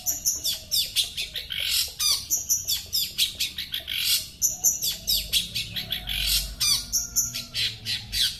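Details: Long-tailed shrike from Sepudi Island, known locally as podhei, singing loudly: a fast, varied stream of sharp chattering and scratchy notes in rhythmic bursts, with brief clear whistles woven in and a low rumble underneath.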